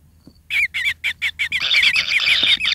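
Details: Kingfisher nestlings at the nest, pin feathers starting to grow and needing much food, give a run of short harsh rasping notes, each wavering, then merge into a continuous buzzy churring chorus.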